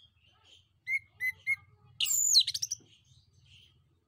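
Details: Male orange-headed thrush in energetic song meant to provoke answers from other birds: three short whistled notes, then a loud, rapid tangle of high twittering, over a low steady rumble in the background.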